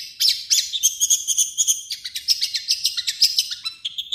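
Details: Long-tailed shrike song blending its own phrases with copied calls of other birds; fast, high, scratchy chirps and thin whistles pour out about three or four per second, with a brief chattering burst partway through.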